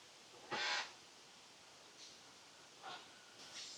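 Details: A group of six or more captive-born great green macaws, in a cage at a rescue sanctuary in Copán Ruinas, Honduras, nearly ready for release, gives one loud, harsh, raucous squawk, then three fainter rasping calls.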